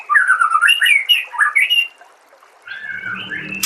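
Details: Compiled training song of the White-rumped shama: melodious, wavering whistled phrases for almost two seconds, a short near-silent gap, then a steadier whistled passage over a low rumble, closing with a sharp click.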